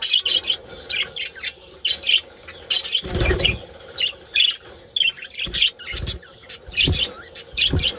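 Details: Mating calls from a budgerigar colony: rhythmic bursts of chirps and scratchy warbles, with a loud rush of wingbeats near the middle and soft taps later.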